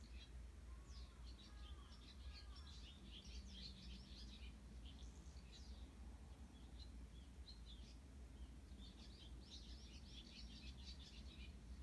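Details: Early-morning sparrows, recorded 18 June 2018, give scattered high chirps in bursts, busiest near the start and toward the end, over constant low environmental hum.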